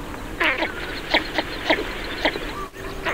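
Northern Shoveler giving short, nasal, clipped duck notes, about two per second in a loose series, over a soft background hiss.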